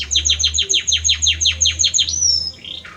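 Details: Belgian canary male sings to the female: about a dozen quick downslurred chirps in steady series, ending in a thin rising whistle and a short lower note.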